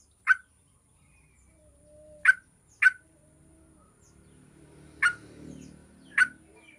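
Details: Yellow-vented bulbul played to make other bulbuls sing: irregular sharp single notes, some paired, over a soft rumbling background noise.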